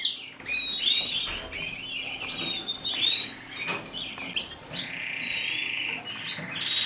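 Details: Canary of the mosaic type giving varied chirps, upward-sweeping whistles and short warbles, ending in a steady buzzy trill.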